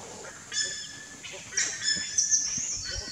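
Buff-necked Ibis nestlings give thin, high, drawn-out squealing calls in quick overlapping bursts over a soft background hiss.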